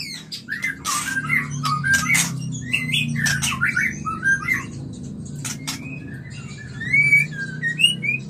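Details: Mating song of a white-rumped shama, played to bring on breeding; dense mix of rasping clicks and varied whistled phrases, with higher sweeping whistles toward the end over a low hum.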